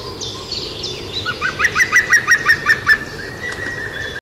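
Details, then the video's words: European green woodpecker (Picus viridis), filmed from behind a window in 2016 while drinking and bathing, gives its laughing yaffle: about nine loud, ringing notes at roughly five per second, with thin high whistles and a steady tone from other birds. "european green woodpecker picus viridis"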